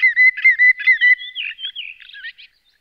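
Common greenshank giving a rapid series of five ringing, whistled notes, then a softer run of fading, wavering whistles. No other sounds.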